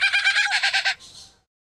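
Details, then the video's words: A lyrebird mimics construction noise, possibly workmen installing galvanized corrugated sheeting, a viewer suggests. About nine harsh, buzzy pulses fire rapidly, around ten per second, like a power tool, then fade into a brief hiss. "Lyrebird mimics construction sounds"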